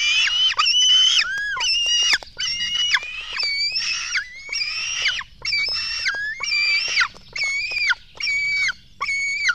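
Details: Black stork nestlings at a nest in Latvia being fed, 24 June 2016 at 04:53: loud, harmonic, whistled screeches, each held about half a second and falling at the end, repeated in an uneven run with short gaps.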